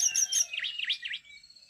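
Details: Brown-chested jungle flycatcher in vigorous, continuous song, used as training audio and to lure birds: high thin whistles, then three quick V-shaped slurred notes dropping and rising again, trailing into faint high tones.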